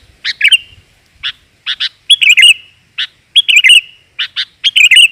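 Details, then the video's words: Female sooty-headed bulbul call used to attract males: paired dry chips alternate with short liquid, warbling phrases, repeated roughly every second. "BURUNG KUTILAN GAJOR, COCOK UNTUK PANCINGAN"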